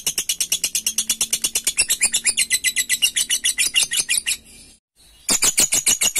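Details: Lovebird ngekek, the long chattering song used to provoke a rival. Fast shrill notes run steadily for over four seconds alongside faint low tones, stop briefly, then the rapid chatter starts again.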